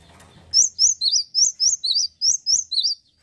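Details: A male great tit in full, lively song delivers a steady run of ten sharp whistled notes, alternating high and slightly lower, roughly four each second, over a quiet background.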